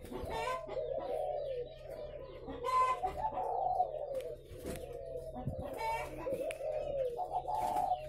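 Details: Chorus of spotted doves raised at a farm in Vân Hòa commune, Ba Vì, Vietnam: loud layered low cooing rising and falling in waves, with scattered sharper chirps, clucks and a faint steady hum underneath.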